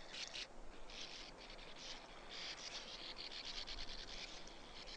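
Sand martins give dry, buzzy twittering bursts, several birds overlapping in quick irregular runs, over a low background rumble.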